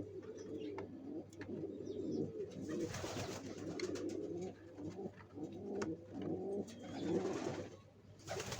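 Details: Pigeons at work building a nest for their eggs produce a continuous low murmur of overlapping coos, with rustling hiss and occasional soft ticks.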